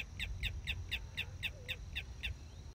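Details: A spoonbill at a nesting colony in Orlando Wetlands, Florida, in spring gives a steady run of about ten short, squeaky notes, roughly four per second, over a low rumble of wind.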